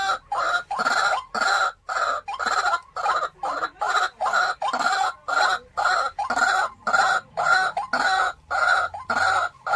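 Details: A kept decoy white-breasted waterhen, about 3–4 years old, gives loud, harsh, clucking croaks in a steady series, about two per second, with short gaps between notes.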